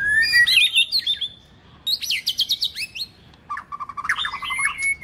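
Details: Female white-rumped shama singing to stimulate males, recorded for song training: three bursts of varied song, first warbled whistles, then a rapid series of sharp down-slurred notes, then a stuttering trill with a clear whistle.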